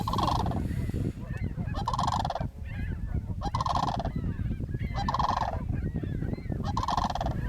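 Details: Canada goose, possibly nesting in a raptor nest, in Northern Utah grassland near a sharp-tailed grouse lek early in the morning, gives five loud, nasal honks about every one and a half seconds over a steady low wind rumble.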